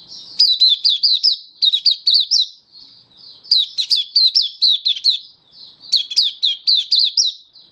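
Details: Captive oriental white-eye in open song display, 24 February 2023: three bursts of rapid, high, slurred chirps, each around eight notes, spaced by short pauses.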